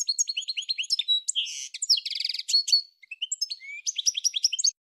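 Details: Goldfinch singing a rapid, unbroken twittering stream of high tinkling notes, mixed with buzzy rattling trills and short sliding whistles, with one brief pause near the end.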